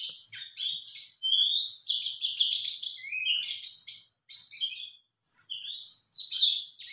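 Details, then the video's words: Male white-eye answering a lure call, singing a rapid, busy high-pitched warbling song of chattering chirps, trills and descending whistled slurs, nearly continuous with brief pauses. "Jika Pleci Jantan Pasti Ikut Nyaut"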